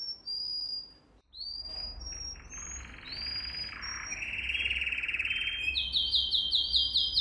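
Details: Canary song for training young birds: thin high whistles open, followed by a buzzy rolling trill and then a quick run of repeated chipping notes, over a low steady hum.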